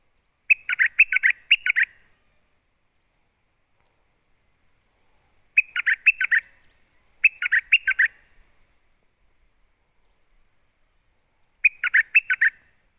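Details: Olive-backed sunbird calling to a mate with short clusters of rapid, sharp, high chirps. Each burst lasts about a second, with four bursts separated by silent gaps of a few seconds.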